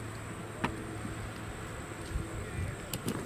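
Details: Low traffic rumble and a few faint clicks and knocks outdoors, with no animal voices.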